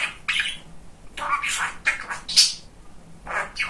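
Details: Talkative pet male budgerigar indoors, producing quick hoarse speech-like phrases and squeaky chirps in short bursts, several in a few seconds.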